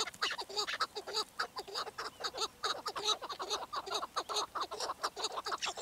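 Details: Chukar partridge (keklik) calling in a fast, uneven series of harsh clucking notes, roughly two per second, each a low stacked chuck; several notes overlap as if more than one bird is calling.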